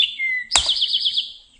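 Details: Male Eastern Towhee song: a clear high note, a lower slurred note, then a quick ringing trill, the harsh, straightforward 'drink-your-teeee' pattern.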